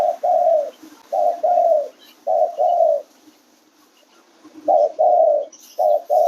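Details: Spotted dove cooing steadily: mellow, low doubled and tripled coo notes in close groups about a second apart, a pause, then more groups, over a faint steady hum.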